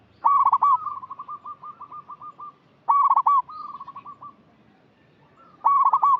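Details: Local zebra dove used as a lure bird, cooing repeatedly: loud accented stuttering bursts about every two and a half seconds, each followed by a softer even string of quick rolling coos.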